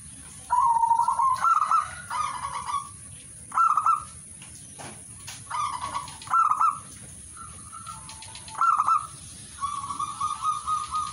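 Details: Singing zebra dove giving a run of short, rapid trilled cooing bursts, some paired, others drawn out, irregularly spaced across the stretch, over a steady faint high electronic-sounding whine.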